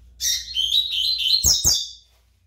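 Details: Brown-plumaged double-collared seedeater producing a continuous, rich, slurred warble of high notes lasting about two seconds, with two sharp clicks near its end.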